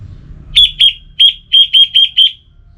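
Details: Orange-headed thrush giving seven loud, clear, slightly slurred high notes in quick succession, spaced about a quarter second apart, in relaxed song.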